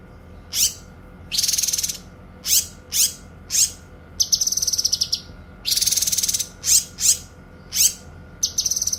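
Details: Indonesian bird-training recording pairing a cililin with a cucak kinoy, both singing energetically; loud, harsh, broadband bursts alternate with sharp downslurred whistled notes, close and clean, with no background sounds.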